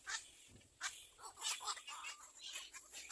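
Harsh, raspy squawks from a little egret chick begging for food, coming in quick irregular bursts, several per second, over a faint background hiss.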